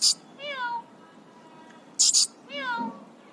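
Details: Excited three-year-old pet Alexandrine parakeet mixes sharp harsh screeches with drawn-out descending whining, meow-like mimicked notes, repeated twice in just over three seconds.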